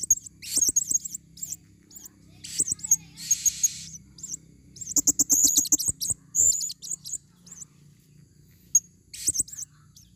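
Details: Long stretch of shrill, high twittering and squeaky chips from a female blue-crowned hanging parrot used as a lure in the forest, dense and overlapping in bursts, with clicks and a low hum.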